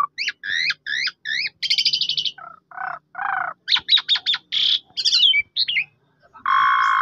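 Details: Asian pied starling song aimed at provoking a mute bird to sing: paired rising whistles, buzzy rattling bursts, low reedy notes, quick chirps and a long harsh closing note.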